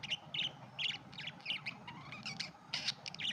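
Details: Quick bright chirps from red-eyed budgerigars, short notes tumbling in uneven bursts about every third of a second, with a faint hum beneath.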